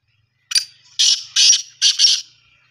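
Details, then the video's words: Black francolin, known locally as kala teetar, calling: one short harsh note, then four loud, rasping, buzzy notes in quick succession over about two seconds. Nothing else is audible. "kala teetar ki awaz black teetar ki awa desi teetar ki awaz sindhi teetar ki awaz teetarvoice"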